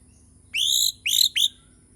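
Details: White-rumped shama from Borneo in the morning giving three high, clear whistled notes, the first long and steady, the next two shorter and rising, against a faint low hum.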